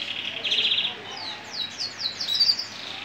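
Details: A male humpbacked Gibber canary sings a bright, high trill, then a run of quick descending whistled sweeps repeated several times a second, with faint background murmur.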